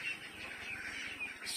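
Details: Itik Pinas ducklings, 25 days old, giving a steady overlapping chorus of thin, high peeps over a low mechanical hum.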